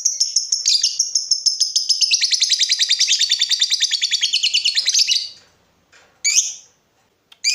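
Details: Chatty lovebird used as a tutor and lure to excite other lovebirds: a five-second rapid rattling chatter of scratchy chirps, then a pause and two separate harsh chirps.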